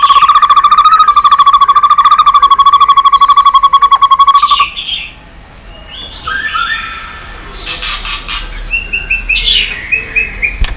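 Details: Continuous song of a white-rumped shama used to stimulate other shamas: a long, even trill of rapidly repeated notes for over four seconds, then quieter varied whistles and chattering phrases.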